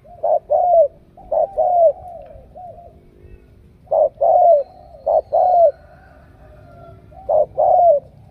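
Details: Cooing spotted dove from Ca Mau, picked for its strong voice. Paired short-and-long falling coos in bursts separated by quiet pauses of a second or more.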